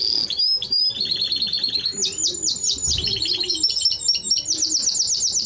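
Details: Timbrado Español canary in song, delivering quick repeated-note trills that change speed and pitch every second or so, rolling and metallic throughout.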